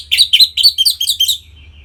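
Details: Orange-headed thrush, a caged bird from North Bali, delivering a quick run of six bright, buzzy chirped notes in a little over a second, part of a 'ngeplong' song used to excite other captive birds.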